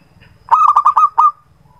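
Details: Local zebra dove lure song for birds that seldom sing: one phrase of about six loud, rolling coo pulses. The last is held slightly longer, over a low background rumble.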